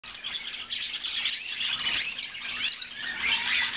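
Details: Blue Lizard canary singing continuously, a dense run of high chirps, trills and warbled notes with no pauses.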